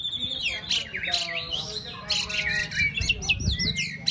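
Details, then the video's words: White-rumped shama, a caged bird in its fourth season being trained for a singing contest, delivering a rich, fast song of varied whistles, sweeping slurs and sharp chirps with almost no pauses. A low background hum runs beneath. "Kích lửa chuyền đấu hót solo sàng cầu rực rỡ"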